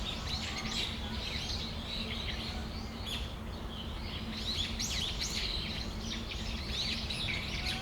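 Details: Several Brown-eared bulbuls calling in Tamagawadai Park on a December afternoon, with an irregular stream of high, bent chirps, roughly two a second, piling up over constant low background hum.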